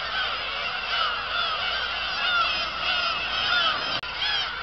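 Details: A steady chorus of many black-tailed gulls at Kabushima on 2 August 2012. Overlapping mewing cries rise and fall in loose waves, and a brief dropout occurs near the end.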